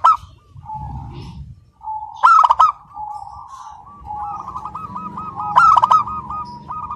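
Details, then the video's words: Non-stop song of a local zebra dove with a crystal-clear voice: soft cooing notes, then a loud bright burst trailing into a long rolling trill, another loud phrase near the end, and low murmur beneath. "Perkutut Lokal GACOR SUARA KRISTAL MANGGUNG TANPA JEDA"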